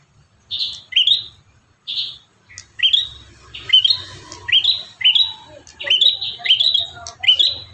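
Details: Bar-winged prinia singing energetically, from a five-variation master recording meant to train caged prinias: two isolated high chirps open, then a run of sharp, slurred, bright notes repeated roughly once a second, background quiet.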